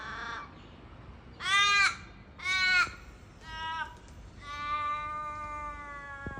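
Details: Australian crows in Sydney, Australia, giving harsh, nasal caws: a faint short one, two loud drawn caws about a second apart, a softer caw, then a long, flat, wailing call held for nearly two seconds.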